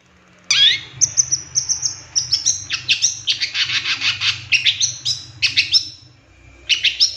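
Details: Long-tailed shrike in a lure recording filled with mimicked phrases: a dense, chattering medley of quick chips, thin high whistles and rattles, lasting about six seconds, with a low hum beneath.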